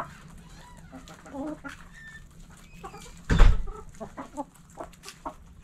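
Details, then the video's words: Hens in a backyard coop clucking softly and irregularly, interrupted by a loud low thump or bump midway, then more scattered clucks. "Backyard Chickens In The Coop Relaxing Video Sounds Noises Hens Clucking Roosters Crowing!"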